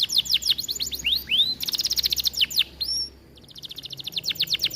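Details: Canary song from an aviary, used to lure other canaries into singing: fast series of downward sweeps, a rising slur, a dense buzzy trill, one high whistle, a short silence, then more rapid sweeps.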